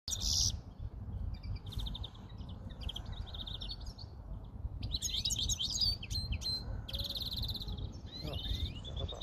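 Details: European greenfinches singing, rapid rattling trills broken by short gaps, with rising wheezy whistles near the end and a steady low hum beneath.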